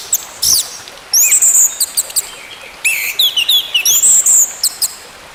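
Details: Orange-headed thrush, song to get a silent bird singing again: high sweeping whistles and scratchy chips in two bursts, with rapid clicking notes between.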